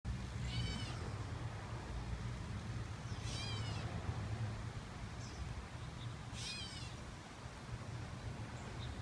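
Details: Gray catbird giving three short, nasal, cat-like mewing calls roughly three seconds apart, each a slurred note with stacked overtones, over a steady low rumbling background noise.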